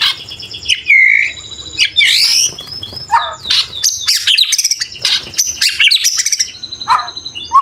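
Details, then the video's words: White-rumped shama full song with isian phrases: a rich mix of whistles, sweeping slurs, harsh chatters and buzzy trills, changing every second, loud and clear. "BURUNG MURAI BATU FULL ISIAN & TEMBAKAN"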